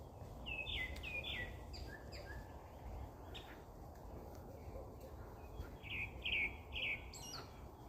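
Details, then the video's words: Birdsong outdoors: bright, quick chirped phrases rising and falling, given in short bursts with pauses, several notes at a time, over a steady low rumble of background noise. "아름다운 새소리"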